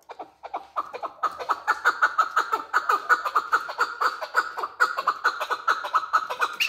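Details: Male chukar partridge calling: a steady, rhythmic series of clucking chuk notes, about three each second, building slightly in loudness and continuing throughout.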